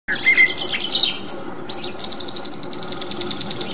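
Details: Common blackbird song in the wild, filmed with a 40x zoom: a few low fluted whistles near the start, then high thin twittering and a fast, even run of repeated squeaky notes to the end, over steady background hiss.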